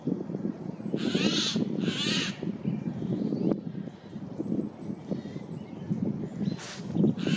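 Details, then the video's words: Eurasian jay in spring forest, April 2024: two quick harsh screeches early on, then a faint third, partly masked by loud low rustling and handling noise. "Голос сойки"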